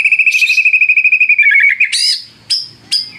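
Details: White-rumped shama lure song aimed at rousing rival birds to sing. A rapid, even trill slowly dips in pitch, then breaks into a bright burst and two sharp, separate chirps.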